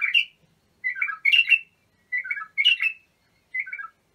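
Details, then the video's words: Song of a bulbul for training young birds: alternating falling gurgled notes and bright chattering bursts, five phrases at uneven intervals, crisp and free of other sounds. "تغريد بلابل ابو شعيب لتخريج البلابل"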